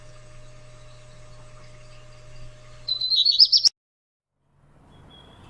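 A Black Redstart gives a brief, high crackling burst of song lasting under a second, over a low steady hum.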